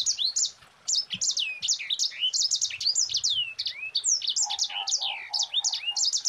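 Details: Mozambique canary in continuous rolling song, quick high slurred whistles strung closely together, with a few lower, softer notes repeating beneath near the end.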